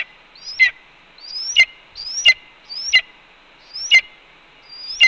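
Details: Red-tailed hawk on its Cornell nest, 4 May 2013 at 1:29 PM, calling repeatedly while its mate, who brought two voles, eats a pigeon; six rising whistles each breaking into a sharp harsh chip, roughly one per second.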